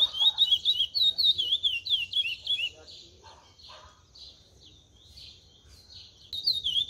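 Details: Chestnut-bellied seed finch, a young brown bird learning cascatinha-style song; about three seconds of quick looping whistles, then quieter scattered chirps, and a burst of song returning at the close.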